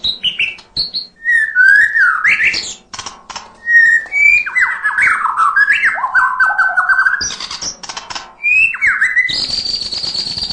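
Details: White-rumped shama (murai batu) singing continuously in a full, varied 'isian' style: quick clear whistles rising and falling between high and mid pitches, slurred phrases and bursts of harsh, rasping notes in a rapid, irregular flow.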